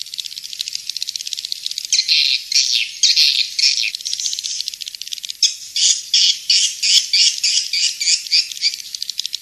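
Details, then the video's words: Swiftlet sound of the style called King's Star: dense, high chirping twitters in bursts, with rapid buzzy trills and short squeaky notes following one another almost without pause. "Suara Walet King'S Star"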